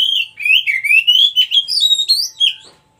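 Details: White-breasted Oriental magpie-robin, wild song meant to coax stressed kacer into singing: a rapid, unbroken string of loud whistled notes sliding up and down, climbing higher toward the end before fading.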